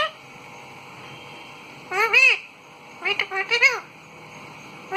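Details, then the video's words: Two bursts of arched, harmonic parrot calls, each rising then falling, separated by about a second of quiet room hiss. "मिठू की प्यारी सी आवाज"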